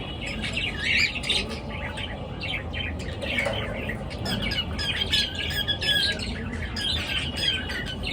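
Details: Pet birds chirping in the morning: a steady stream of thin, high, scratchy chirps and twitters from several birds, continuous throughout, with faint low room noise beneath.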